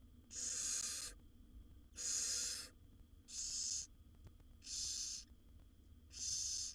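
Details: In a wild barn owl nest box, the mother feeds seven babies while they beg with loud rasping hisses; five strong bursts, each under a second, repeated about every 1.4 seconds.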